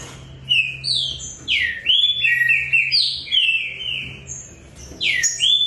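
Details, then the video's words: Caged green-winged saltator (trinca-ferro), a competition bird from a Brazilian breeder, singing loud clear whistled phrases of sliding, swooping notes in short bursts, with a steady low hum behind. "TRINCA FERRO : AMULETO vs BIGORNA"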